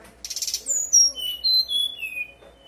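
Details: Fluting song of a brown-chested jungle flycatcher, played to coax other birds of its kind to reply. A scratchy buzzy burst opens, followed by long pure whistles that fall in steps.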